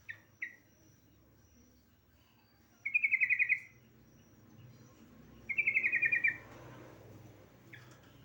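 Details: Female yellow-vented bulbul calling to a male: two bubbly bursts of rapid, closely spaced chattering notes, each under a second long, plus a few brief sharp chips at the start and end. Faint low background hum.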